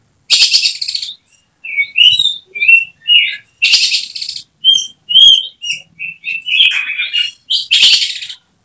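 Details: Caged oriental magpie-robin, a contest prospect, in song: loud harsh buzzy bursts at about 1, 4 and 8 seconds, with clear whistled and slurred notes in between; its emotional singing shifts into 'tembakan' shots.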